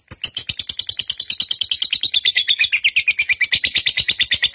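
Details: Fighter-type pet lovebird singing for use as a training trigger for caged birds: a dense, high, scratchy chatter of quick notes, roughly three a second, rolling on without pause.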